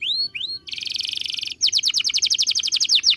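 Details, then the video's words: Canary song as a master recording for training birds: two rising whistles, then a dense buzzy rolling trill, followed by a loud fast run of sharp repeated notes. "MASTERAN KENARI SANGAT BAGUS UNTUK BURUNG ANDA."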